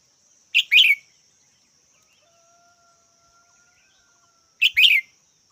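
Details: Two red-whiskered bulbul calls about four seconds apart, each a short chirp and a slurred falling note, over a constant thin high-pitched hum.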